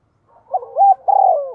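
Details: Spotted dove in 'giọng thổ' voice, played as a lure to stir wild birds: one soft cooing phrase of a brief note, a rising-falling coo, then a longer, slightly rolling coo fading out.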